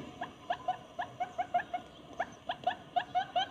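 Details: Barred buttonquail lure recording, said to attract both males and females, of short, clipped mid-pitched notes in quick clusters of two to four with brief pauses between bursts, over a faint hiss.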